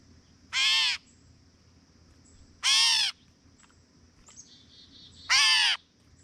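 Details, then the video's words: A Gray Catbird gives three harsh, nasal, cat-like mewing calls, each under half a second and spaced about two and a half seconds apart, over a faint steady high whine. "Catbird Call | Gray Catbird Call"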